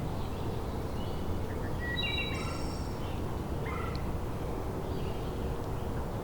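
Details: Wood Thrush song, a flutey phrase of clear stepped notes ending in a high buzzy trill, with a shorter second phrase. Low wind or distant traffic rumble. From McMaster Forest, Hamilton, Ontario, June 2020, with old hemlocks, maples and oaks; a couple singing on territories.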